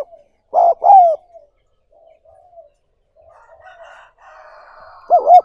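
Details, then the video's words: Spotted dove recording used to train captured wild doves as lures. A loud, wobbling double coo opens the clip, quiet murmurs and a burst of faint chatter follow, and another coo begins at the end. "60 Phút Tập Chim Cu Gáy Bổi Mỗi Ngày"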